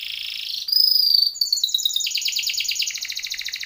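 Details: Timbrado canary giving a training song: a soft buzzy note leads into a sharp high whistle, then a fast rattling trill of rapid rhythmic pulses that runs steadily to the end.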